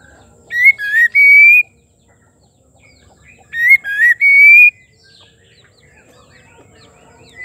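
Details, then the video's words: Song of a female white-rumped shama, meant to provoke male shamas to sing: a clear whistled phrase of three notes, with the last long and gently rising, repeated twice about three seconds apart over quiet background. "Murai betina gacor pembangkit emosi murai batu jantan auto gacor"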